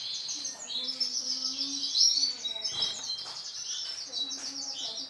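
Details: Male orange sunkist canary in continuous song, high rolling trills and quick twittering notes running together, with a faint low droning tone underneath and a brief click midway.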